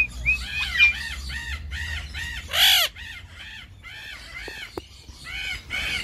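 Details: Golden-collared macaw screeching: loud, raspy arched squawks repeated roughly every half second, one louder harsh blast midway. A brief sharp click occurs, and a low background hum is present.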